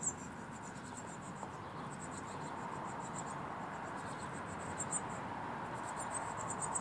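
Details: Eurasian blue tits on a balcony giving thin, very high-pitched call notes in quick little runs, repeated through the clip over a steady background hiss.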